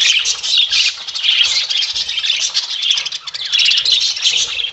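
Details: Several budgies, spangle adults plus lutino and albino semi-adults, chatter nonstop in a busy mix of squeaky warbling, short chirps and harsh squawks overlapping throughout.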